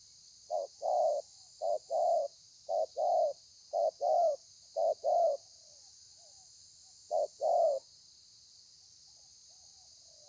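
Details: Thổ pha style calling from a wild-caught spotted dove, 30/11/2020: five quick pairs of short and drawn-out hollow coos, a pause, then one more pair, with faint hiss throughout.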